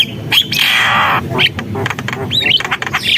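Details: Javan myna singing energetically. A long, rough, hissing squawk is followed by sharp whistled upslurs and scratchy notes.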